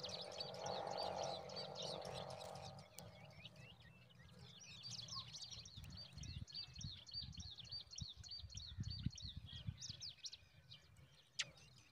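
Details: At a zitting cisticola nest where a parent brings a huge mantis to newborn babies, high thin chirps run in rapid series of about four per second, with a low rumble underneath.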